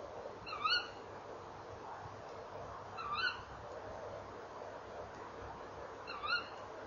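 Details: Nest-box recording of tawny owls on a late-November 2013 evening as the male enters the box: three brisk, high, rising calls, the first two about two and a half seconds apart, over soft background noise.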